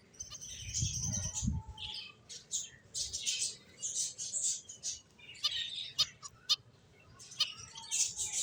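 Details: Finches chatter busily with dense high chirps and sharp clicks, repeated in quick irregular bursts; a low thump sounds early on.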